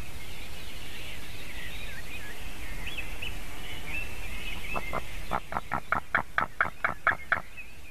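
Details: Latvian White-tailed Eagle youngster on its nest, 17 June 2019 at 9:05 AM, while a buzzard approaches and lands nearby; high chirps of other birds give way after five seconds to a rapid series of ten sharp, barking yelps.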